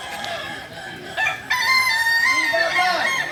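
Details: Kukuak Balenggek rooster, a singing chicken native to Solok, in performance training. Low clucking first, then from about one and a half seconds a loud, clear, sustained crow that holds steady before breaking into descending syllables.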